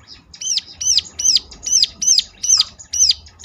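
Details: Repeated high, ringing chirps from a bar-winged prinia (ciblek), a lure song meant to coax others into singing; about seven sharp arched notes in three and a half seconds, evenly paced and loud against quiet background.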